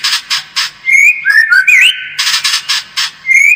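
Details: White-rumped shama lure song to make a bird more combative: rasping buzzy notes alternate with smooth rising and falling whistles, repeated roughly every third of a second.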